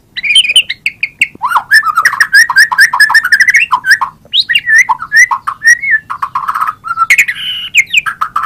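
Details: Varied, rich warbling of a White-rumped shama, with fluty whistles, quick trills and slurred phrases tumbling together without pause, loud and clear.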